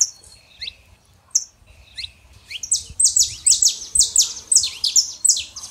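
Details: Saffron finch, male and female, kept to warm up a quiet canary: sparse high chirps at first, then a rapid run of sharp, descending two-part notes repeated several times a second, growing louder toward the end.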